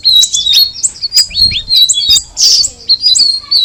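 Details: Straw-headed bulbul giving separate high whistled notes and downward-slurred chirps, a short harsh squawk-like burst in the middle, and quieter gaps between phrases.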